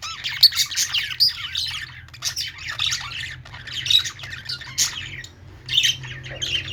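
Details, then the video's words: A group of budgerigars in a shop sings a scratchy, twittering babble with occasional piercing squeaks, several birds overlapping over a low electrical-sounding hum. "budgies singing | parakeet chirping sounds in pet store"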